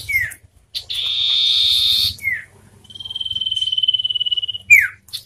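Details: Wild forest common iora (Aegithina tiphia) and one hand-raised from young in a vocal duel: short downslurred whistles alternate with a long buzzy trill and a drawn-out, rapidly pulsed high whistle lasting nearly two seconds.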